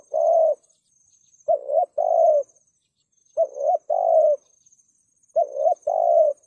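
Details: Spotted dove heard as a trap lure for wild doves, delivering evenly spaced low coo phrases, a brief upswept note then a sustained hoot, about every two seconds over a faint high hiss.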